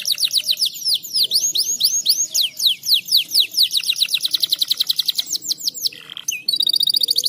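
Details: Canary in breeding condition, singing to encourage mating: a fast run of high down-slurred whistled notes, about four per second, speeding into a dense rattling trill before a brief pause and a final buzzy trill.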